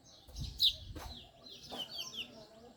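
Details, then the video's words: Male house sparrow, identified as an Indian sparrow, giving short, bright chirps in quick bursts, with a low thump and faint background rustle. "Sparrow male 🐤😍 | sparrows chirping"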